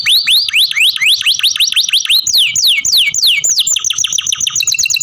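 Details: Canary song built from runs of rising whistled notes repeated rapidly, changing to falling slurs and then short rapid chips, all high and clear.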